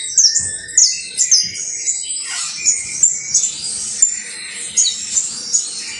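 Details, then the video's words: Saffron finch of the criollo type giving a busy high song of chirps, trills and sweeping notes, with one lower dipping phrase midway and soft background noise underneath. "UN CANTO INCREIBLE DE CANARIO BASTO CRIOLLO"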